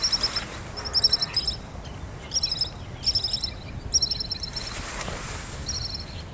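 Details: Resident pied kingfisher from Kinmen, a fish-eater of ponds, reservoirs and coasts, giving bright, thin, high-pitched chirps in quick clusters of three to five notes, several bursts separated by short pauses over steady low outdoor noise.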